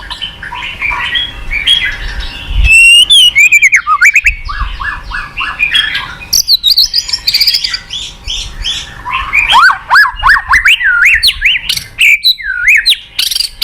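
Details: White-rumped shama lure song meant to draw out a quiet caged bird's full repertoire. A long, rich run of varied whistles, swooping slurs and rapid chattering notes, loud and continuous.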